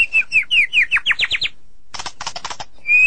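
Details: White-rumped shama in a sulky mood: a quick run of about ten descending whistled notes, a brief pause, a few harsh scratchy bursts, then one steady clear whistle.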